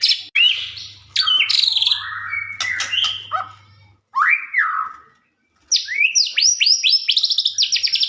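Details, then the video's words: Singing white-rumped shama, played so other shamas respond: varied whistles and chips, a pause, a downward-curving slurred note, silence, then a rapid series of high rising whistled notes; low hum early on. "Burung murai gacor ampuh buat pancingan murai batu langsung bunyi nyaut"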